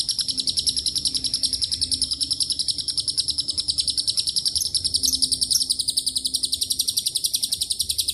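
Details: Lovebird giving a long ngekek song with cililin and canary phrases mixed in: a shrill, unbroken chattering trill of rapid pulses, about three and a half per second, sustained for the full eight seconds with no other sounds.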